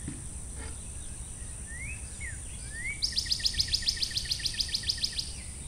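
A cardinal gives a few clear rising slurred whistles, then a fast ringing trill of about fifteen sweeping notes, over a steady high insect drone.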